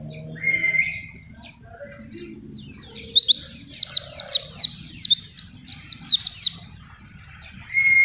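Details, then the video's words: Forest-type Oriental white-eye in full song, banana-fed and used as a tutor and lure: a thin whistled note, then a four-second torrent of fast, high, zigzagging chirps, ending with another soft whistle over a low hum. "Pleci Gacor"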